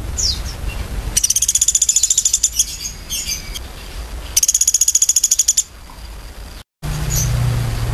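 A woodpecker gives two fast, rattling bursts of rapid taps, each lasting about a second and a half, with a low background hum.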